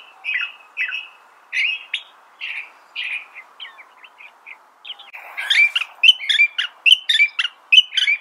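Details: California thrasher singing a slow series of separate chirped notes about one per second, then a faster, louder run of sharp, ringing phrases in the second half.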